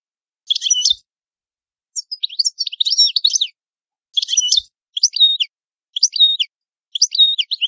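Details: Italian goldfinch alternating dense buzzy bursts with tinkling twittered notes, then a run of similar paired chirps about once per second. Silent background.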